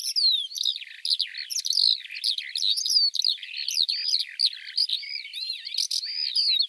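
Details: Eurasian Skylark in full song: an unbroken, fast jumble of high chirps, rolling twitters and short slurred whistles, brief rising notes mixed in, steady and energetic throughout.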